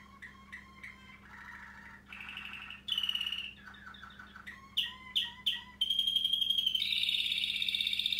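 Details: Waterslager Malinois canary, a male over one year old, singing: a varied chain of phrases, with low rolling trills, bubbling notes, rapid repeated chips and a final long buzzy high trill, tours changing every second or so; steady low hum behind.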